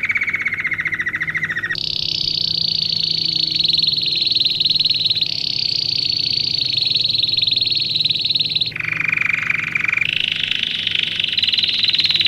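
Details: Domestic canary singing, used for training young birds: continuous rapid buzzy rolls and sustained trills that shift between a lower and a higher pitch every few seconds, with no other sounds.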